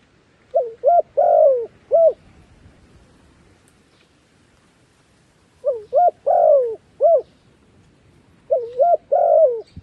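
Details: Decoy dove luring wild doves, giving three phrases spaced several seconds apart: two short upswept coos, a longer falling coo, then a last short coo, over a quiet background.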